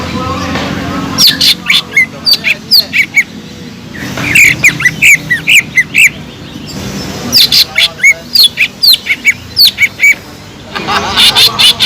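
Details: Cucak ijo song with isian tengkek udang: clustered bursts of sharp, chattering and squeaky notes separated by short quiet spells, ending in a dense, rapid flurry.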